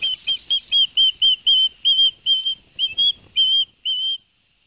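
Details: Osprey at a nest in Barnegat Light, New Jersey, filmed by a live nest camera on 11 September 2021, after the adult male delivered two fish to the young: a fast series of clear whistled chirps, about two per second, some slightly rising.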